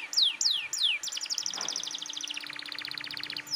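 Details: Loud, persistent canary song used to coax young canaries to sing. Three quick descending whistled slurs open the phrase, then a long rapid trill drops slightly lower in pitch before a final slur.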